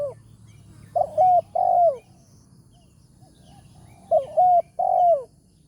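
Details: Spotted dove, wild and strong-voiced in the 'tarik akar' manner, answering near a trapper's decoy in the morning; two loud phrases of three mellow coos, the last note long and dropping, with faint background hum.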